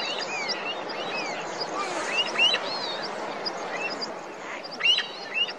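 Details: Snow Partridges in a high-altitude meadow below a snow tongue in the Srikantha valley, upper Garhwal Himalaya, Uttarakhand, give high, piercing, echoing whistled squeals, some rising and some slurred, overlapping from several birds, over steady wind-like hiss.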